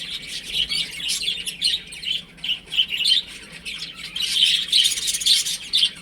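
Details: Baby chickens playing indoors, sharp high peeps in short rhythmic bursts, growing into a louder, denser chorus in the second half.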